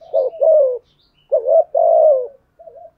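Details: Spotted dove's thúc gù coo, a style that stirs wild doves to coo along; two low warbling coo phrases with a long wavering middle note, then a faint trailing murmur, with faint high chirps behind.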